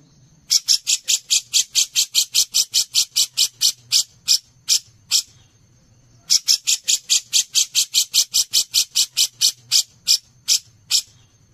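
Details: Singing cucak jenggot (grey-cheeked bulbul) used as a master recording for songbird contests: two long runs of coarse, buzzy notes, roughly two and a half per second, separated by a brief gap, with a thin steady high tone throughout.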